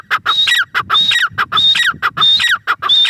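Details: Grey francolin, locally called teetar, giving loud harsh repeated call phrases about every 0.7 seconds, each a burst of clucking notes with a high whistled element, steady and rhythmic throughout.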